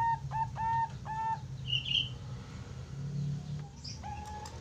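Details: Young Zebra dove (Bangkok-type perkutut fledgling) giving a quick run of four soft, deep, mellow cooing notes, then another after a pause, over a low hum with a brief high chirp between.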